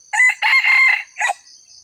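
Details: Red junglefowl crow used as a lure for wild birds: a loud, harsh crow in three parts, a short opening note, a long sustained middle and a clipped final note, over a steady high insect drone.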